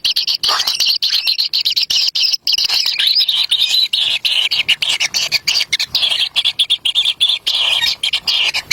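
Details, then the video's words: Wild kingfisher nestlings compete for a black lizard carried to the nest by their parent, giving a steady, shrill, buzzy begging chorus, broken by rapid clicking pulses, that barely pauses across the clip. "Kadal Hitam Jadi Rebutan Bayi Burung Kingfiser"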